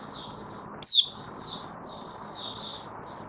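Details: White-eye (mata puteh) kept as a cage bird, in opening song on 18 May 2022 after deworming treatment: soft high warbling notes broken by one loud, sharp downward-sweeping whistle, over low background noise.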